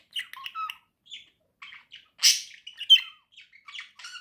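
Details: Two pet budgerigars warbling together in a quiet room: a busy, uneven run of high chirps, squeaky whistles and scratchy chatter, with one harsh squawk partway through.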